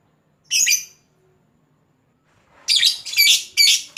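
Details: Lovebird chattering to call a rival: one shrill harsh burst, a silent gap, then four rapid grating high squawks in quick succession.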